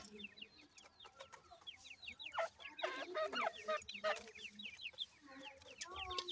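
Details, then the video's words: Grey francolin (dakhni teetar) chicks in the wild, cared for by their parents, giving many thin, high, downslurred peeps in an irregular overlapping stream, with some louder rustling and thumping in the middle. "partridge bird babys"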